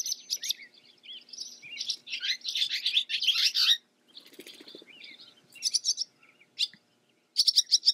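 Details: Barn swallow song: bursts of high chirps and twittering notes, some buzzy clusters, broken by brief pauses and a quieter scratchy passage in the middle.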